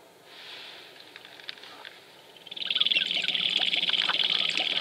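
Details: At Wainwright, Alberta, 2015, a dancing Sharp-tailed grouse: quiet, scattered ticks at first, then a loud, fast, even rattle starts about halfway through and carries on to the end.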